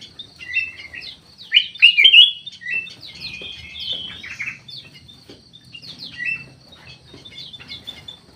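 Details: Aviary black-capped bulbul (kutilang emas) with a bright, quick jumble of slurred whistles near the start, followed by fainter chattering notes and high twittering from other birds.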